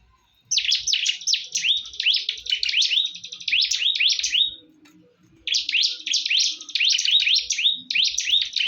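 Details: Bar-winged prinia (ciblek) in a heated fight: dense, bright chirping with hooked, upslurred notes over a steady buzzy trill, breaking off for about a second before resuming just as intensely.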